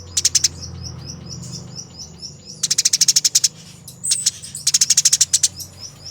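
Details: Fighting Eurasian tree sparrows, used as training audio for other birds: bursts of eight to ten quick, piercing high chirps, separated by softer short ticking notes.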